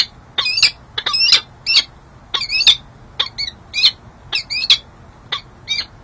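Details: Wild peregrine falcons on a San Jose City Hall ledge, midwinter 2024, female flirting with the male; harsh doubled chup notes with whining inflections, clustered in bursts separated by short pauses.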